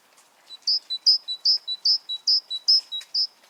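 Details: Great tit song: a clear, rhythmic series of two-note phrases, a high bright note followed by a lower, shorter one, repeated about seven times in quick, even succession. The background is quiet, with faint low rustling.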